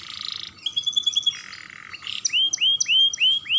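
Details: Song of a young canary used to coax other canaries into singing: buzzy trilled phrases give way to loud rising whistled notes repeated roughly every quarter second.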